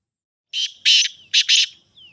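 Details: Sindhi black francolin delivering a scratchy call of a short note, a long buzzy rasp, then a tight double rasp, ending in a thin falling whistle-like tail.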